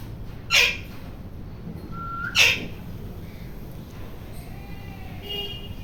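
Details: Noisy rose-ringed parakeet making two harsh screeches about two seconds apart, a short flat whistle between them, then quieter faint chirps afterward.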